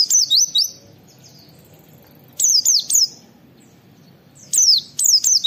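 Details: : Oriental white-eye training recording of the "wit wit" call used to tutor and stimulate other white-eyes; high, sharp downslurred whistled notes in quick bursts of three or four, the bursts separated by about two seconds of quiet.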